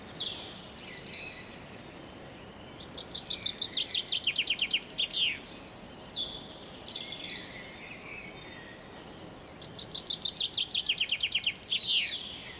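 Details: Garden chaffinch on 23 February 2016 delivering two full song phrases about seven seconds apart, each a fast cascade of high, bright notes descending in steps and ending with a flourish; a few other high chirps in between.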